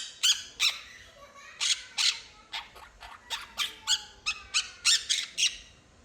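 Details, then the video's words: Two pet quaker parrots are kept by the family, and one gives a long series of sharp, rasping chatter notes. Some come in quick pairs, roughly two or three per second, with a faint whistle between them. "talking bird"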